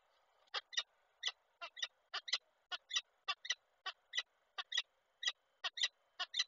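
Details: Female peregrine falcon visiting the nest and calling the male, Koszalin, 5 August 2023: rapid harsh chattering notes in pairs, about two per second, steady throughout, with a quiet background.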